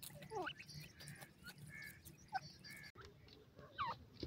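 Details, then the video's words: Teetar chicks, a kind of francolin, giving scattered high peeps that drop quickly in pitch, separated by short pauses, with faint softer chirps and low background noise. "hinostani teetar k bacchay,goray teetar k lapal baby"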